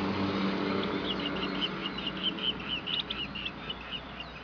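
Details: A breeding pair of Chestnut-headed bee-eaters, nesting in loose sandy soil at a housing-development site in Ipoh, Perak, Malaysia, on 25 December 2010, trade short rolling high chirps, about two a second, with tail wagging, over steady low hum.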